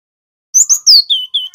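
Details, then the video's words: Male cinereous tit of the local Javanese wingko type in full rolling ngerol song, used as tutor and lure audio: sharp high downslurred chirps, then two level whistles in quick succession after a half-second of silence. "GLATIK BATU JANTAN GACOR | Suara masteran & pancingan ampuh bikin GELATIK wingko bahan rajin NGEROL"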